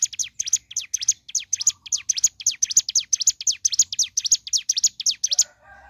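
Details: Ciblek gunung singing energetically in the morning: a continuous, fast stream of loud, high, descending chirps, about four per second, ending with a faint lower rattle.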